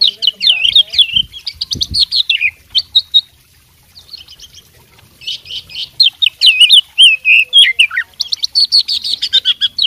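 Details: Oriental magpie-robin, a fighting bird, singing loud, varied whistled phrases full of rapid chirps and swooping notes, with a short pause midway before the rich mimicking stream resumes.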